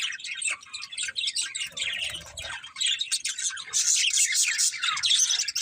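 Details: Several budgies chirp together in a busy, rapid stream of high twittering notes, about four per second, briefly softer near the middle before a louder burst of chatter.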